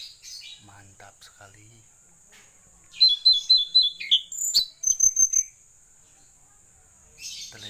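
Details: Blue-eared kingfisher, called tledekan laut, in lively song: after a quiet start, a burst of rapid high piercing notes descending in short steps, followed by thin sharp whistles, over a steady high background hiss.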